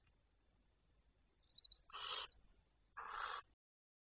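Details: Night recording of barn owls, 12 May 2023 at 23:37: a thin high whistle-like tone leads into a harsh, breathy screech, followed a second later by another shorter rasping screech over faint background hiss.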